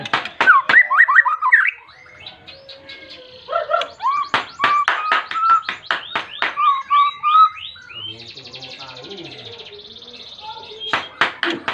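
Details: Long outpouring from a white-rumped shama calling a rival to provoke other shamas: dense bursts of harsh strokes mixed with whistled slurs and a smooth run of level piping notes, a quieter buzzy interlude, then renewed sharp strokes.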